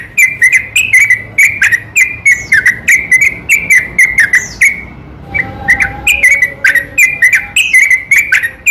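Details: Yellow-vented bulbul (trucukan) singing at night in a long, continuous gacor garuda style, used as a lure to provoke lazy bulbuls into singing; rapid bubbly whistled notes with sharp clicks, a brief pause midway, then the chatter resumes.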